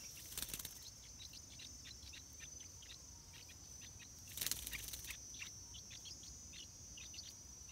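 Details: Stripe-throated bulbul chicks making their first flight, fed by their mother. Short, high chirps repeat quickly and unevenly through the recording. A steady high insect-like hum runs throughout, with two loud bursts of rustling or flapping.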